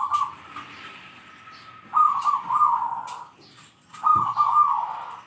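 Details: Perkutut, or zebra dove, singing actively with a strong 'kung' voice to call rivals: three rolling, vibrating coo phrases separated by short gaps, with faint clicks between them.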